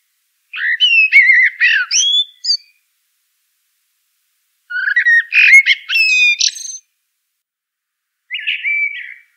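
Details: Eurasian blackbird singing two long warbled phrases of low fluty notes that end in high scratchy twitters, then a short third phrase after a pause; no other sounds.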